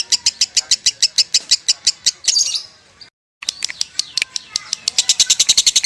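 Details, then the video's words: Lovebird in konslet song: quick high chirps, then a brief burst of noise and a short silent cut, after which the fast chirping resumes and speeds up. "LEGENDA LOVEBIRD KONSLET KUSUMO || SUARA ASLI LOVEBIRD KUSUMO"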